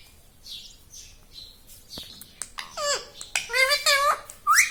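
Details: Pet parrot talking like a human, saying words such as "Mummy": soft faint notes at first, then clearer harmonic, dipping speech-like syllables building toward the end.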